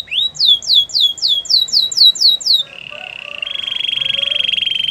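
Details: Spanish Timbrado canary in song: nearly ten clear, swooping whistles falling in pitch, delivered in steady rapid succession, then a buzzy level trill that shifts into a higher, sustained, metallic rattle.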